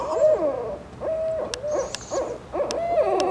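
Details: A family of barred owls in British Columbia, Canada, give hoarse, wavering hoots around 600 cycles, several birds overlapping in quick bursts about once a second, with a few faint clicks between.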